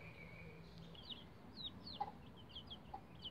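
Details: Young bantam Rhode Island Red chicks, roughly 11 days old, using a chicken ladder, utter short, sharp, high peeps that drop in pitch, several in quick succession over about two seconds, with a faint low hum behind.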